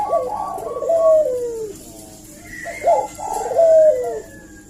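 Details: Eurasian collared dove calling energetically as a lure to prompt a reply, giving two matching phrases, each a quick hooted start and a long smooth coo sinking in pitch.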